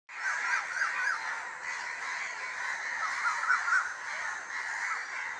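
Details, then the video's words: Crows in a village in the evening, harsh repeated caws from several birds overlapping in a dense chorus. "sound of birds #crow"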